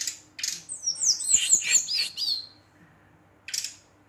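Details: Brown-chested jungle flycatcher singing energetically to provoke rival birds: a rapid tumble of high, sharp, sweeping whistles and chirps lasting about two seconds, then a brief high note later, with a man's voice speaking afterwards.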